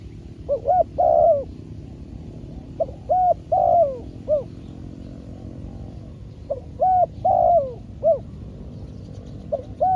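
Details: Spotted dove used as a trained decoy bird during trapping, with a wild bird caught. Mid-pitched, mellow cooing phrases of three to four notes, each ending in a drawn, falling coo. Phrases repeat every few seconds over a steady low rumble.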